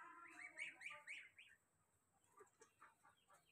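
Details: Young goslings calling for their mother, giving quick arched peeps in a rapid series that fades into softer, scattered peeps over a low background hiss.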